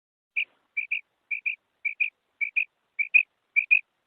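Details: Female quail giving a steady run of paired, high, short whistled notes, each pair spaced roughly half a second apart, clean and isolated against silence.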